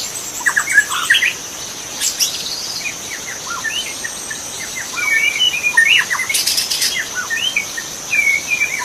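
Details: Wild magpie-robin in forest, sung as a training recording: quick choppy phrases of chirps and short whistles, with a rising sweep near the start, over a constant high-pitched insect drone.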